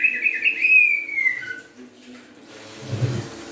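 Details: Greater green leafbird from Kalimantan, kept as a cage bird, singing again after Newcastle disease: one long warbled whistle sliding slowly downward, fading into hum and a low thump at the end.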